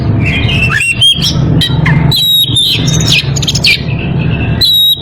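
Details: Breeding-condition Oriental magpie-robin calling out to a rival, giving rapid clear whistles, upslurred notes and scratchy twitters in a dense run, with a low droning hum beneath.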